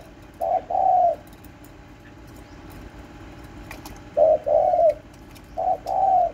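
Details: Household spotted dove recorded on 31 March 2024 giving soft cooing phrases, each a short note then a longer sliding coo, repeated three times with long pauses and faint ticking sounds between.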